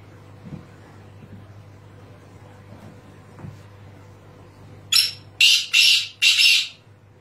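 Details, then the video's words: Black francolin of the Sindhi type (Sindhi teetar) calling after a quiet start: four loud, harsh, grating notes in quick succession over about two seconds, the first short and the last three longer and rasping, with a faint low hum behind. "Sindhi teetar ki awaz"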